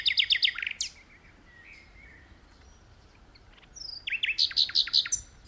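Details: A common nightingale sings from an open spot in a tree, in two bursts of rapid, high, repeated notes with sharp whistled sweeps, separated by a pause of about three seconds.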